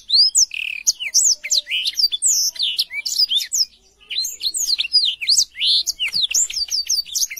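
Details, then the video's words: Black-throated canary singing a loud, clear, nonstop song of rapid high chirps, sweeping whistled notes and short trills, with a brief pause near the middle. "BLACKTHROAT GACOR SUARA JERNIH"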